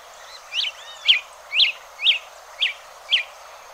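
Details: Hepatic tanager (Fueguero) in Bosque de los Constituyentes, Rosario, Argentina, giving a steady series of six crisp, high, downslurred chip notes, one roughly every half second, over faint constant background hiss.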